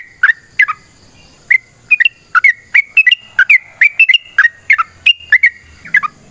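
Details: Yellow-vented bulbul in a long, rapid fighting song meant to prompt other bulbuls to sing: bright whistled notes, each dropping or bending, in loose bursts of two or three with brief pauses, over a quiet background.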